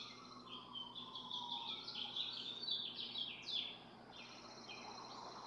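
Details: Barn swallows incubating four eggs, parents swapping on the nest while one keeps watch nearby, recorded by a nest camera; busy twittering and chattering notes, with a faint, longer, lower whistled tone at the start.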